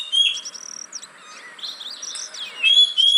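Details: Oriental magpie-robin lure song for caged birds reluctant to sing: crisp whistles at the start and end, with softer warbling notes in between.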